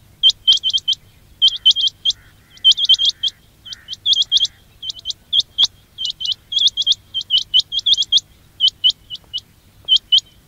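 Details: Quail lure sounds for trapping: a dense, almost continuous run of high, upward-flicking chirps in rapid clusters, overlapping at times, with a low hum underneath.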